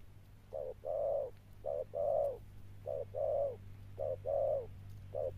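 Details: A captive Spotted dove (Streptopelia chinensis) kept as a decoy gives soft, low coos in pairs, a short note then a longer drawn-out one, repeating about every second over a steady low hum.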